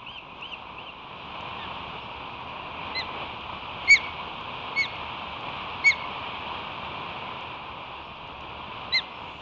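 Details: Ospreys on 17 July 2023 defending their nest against one or two intruding floater ospreys, giving sharp, high chirping whistles at irregular intervals of about one to three seconds over a steady hiss of background noise.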